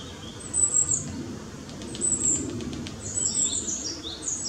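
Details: Just-fledged young long-tailed tits, foraging between high and low trees, give very high, thin, lisping notes, several birds overlapping in quick scattered bursts over a soft low rumble.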